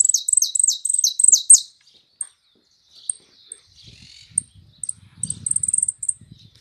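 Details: Yellow canary singing in the sun opens with about seven rapid, repeated, descending high sweeps, then breaks into sparse thin chirps and a short high rattle, with faint low rustling behind.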